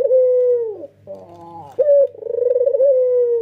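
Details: Male red-eyed white Barbary dove cooing with full emotion: a long level coo falling at its end, a soft rough purr, then a sharp short note running into another pulsing drawn-out coo.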